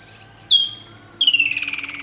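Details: Woodland kingfisher recorded at Boshoff's Berge, Rooiberg, Thabazimbi, South Africa: a sharp high piercing note, then after a short pause a rapid, pulsed trill that slides steadily downward and fades. Faint background music underneath.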